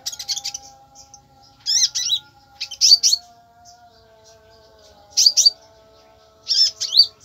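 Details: Konin in short, intense bursts of high, twisting chirps every second or two, separated by quiet gaps, over a faint sustained hum.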